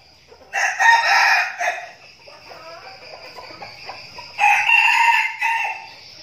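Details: Red junglefowl decoy cocks kept in a training flock in Binh Phuoc, Vietnam: two loud, raspy crows roughly three seconds apart, each a strained, buzzy burst of about a second, with softer clucking notes in the gap.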